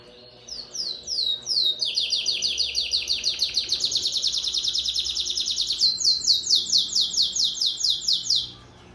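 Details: Domestic canary, Amarelão type, singing in a competition in Maripá de Minas, Minas Gerais, Brazil: a long rapid trill of repeated high downward-slurred notes, about two per second, shifting pitch midway, lasting eight seconds.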